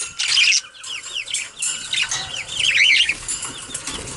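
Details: Captive budgies bathing: short upswept and downslurred chirps repeated in quick runs, a bright warbling chatter over soft wing flutters and water sounds.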